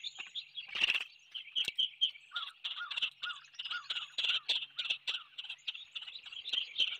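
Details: A large flock of cedar waxwings in treetops on Skidaway Island, Georgia, on a February 9, 2023 morning gives thin, high, lisping calls. They overlap into a continuous shimmer, with a few lower chirps mixed in.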